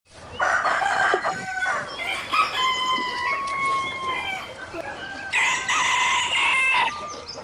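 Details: Roosters crow in quick succession: three drawn-out, harsh cock-a-doodle-doos with strong harmonics, the middle one long and slowly falling at the end.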